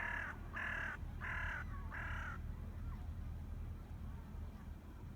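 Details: Crow giving four harsh, drawn-out caws about half a second apart, then stopping, over a steady low rumble of background noise.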